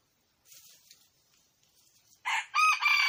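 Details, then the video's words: Red junglefowl: faint rustling, then a loud, harsh crow in three strident segments, cut off at the end. No other animals are heard. "เสียงไก่ป่า,ไก่ป่า,Suab poj qaib qus see zoo heev"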